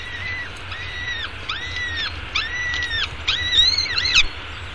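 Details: Nestling peregrine falcon in downtown Arizona during a morning feeding on 24 May 2016, uttering repeated thin, arching whining calls, roughly two per second, rising into louder, harsher cries near the end.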